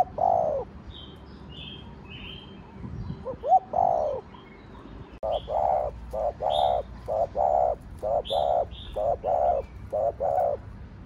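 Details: Spotted dove (cu đất) in the Thổ Đồng song style, fast stimulating coos. A few longer hollow coos, then a quick run of short, even coo notes about every half second, over thin high chirping of small birds.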